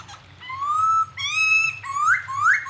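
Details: Bird song from a clear training recording for songbirds: upward-sliding whistled notes and a long level whistle with bright overtones, over a low steady hum.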